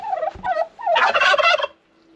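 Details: A male turkey in a snowy winter farm poultry yard gobbles: a loud, rapid, gurgling rattle lasting under a second, preceded by a couple of shorter throaty notes.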